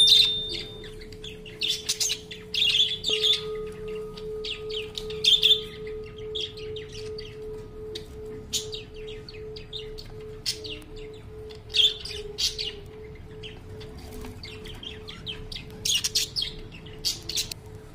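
A budgerigar warbles in rapid, scratchy chirps and clicks over a steady low electrical hum.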